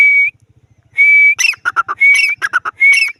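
A grey francolin repeats a loud, high whistled note that breaks into a rapid burst of shrill, harsh notes, about once a second. Faint low ticking comes at the start.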